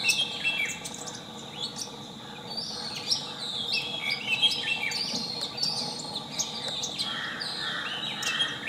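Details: Long-tailed shrike song: a busy, varied run of quick high chirps, slurred notes and buzzy phrases, tumbling almost without pause over a constant background hiss.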